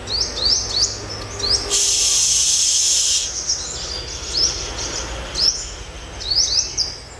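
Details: Olive-backed sunbird, a wild-caught bird being tamed in the morning, singing a series of sharp, high upslurred chirps in quick bursts, broken by a loud steady hiss lasting over a second.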